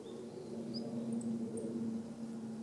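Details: Wild male long-tailed rosefinch, recorded 29 December 2013, uttering ground calls: a few brief, very high, thin whistled notes, one pair close together, over a steady low hum.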